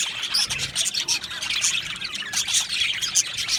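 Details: Australian budgerigars in an aviary colony, a dense chorus of high, rapid chirps and short squawks overlapping continuously, with brief brighter whistled notes standing out every second or so.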